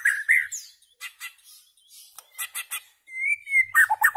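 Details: White-rumped shama giving short whistled notes and high clicks, then a long, smooth, level whistle followed by a quick tumbling run of lower notes.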